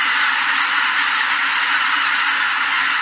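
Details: Greater white-fronted geese taking off as a flock at Shishibana, Izunuma, Japan, on 3 November 2023, recorded with an R5 camera and RF16mm STM lens; a dense, continuous clamor of many overlapping honking calls with no breaks.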